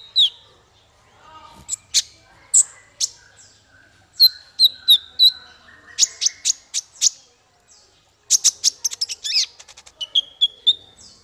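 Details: Singing male konin: high, sharp chips and downslurred whistles grouped into fast trilled runs, with a brief pause before a final burst of rapid twittering notes.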